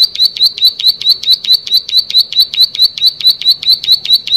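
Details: Plain prinia in full song, delivering a rhythmic string of high, sharp, rasping chips at a brisk pace of roughly two and a half per second, uninterrupted.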